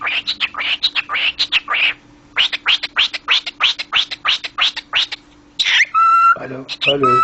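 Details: Talking pet cockatiel repeating a short, harsh, word-like syllable in rapid bursts of about three per second for five seconds, then a pause and clear whistled notes with strong overtones, with brief laughter nearby.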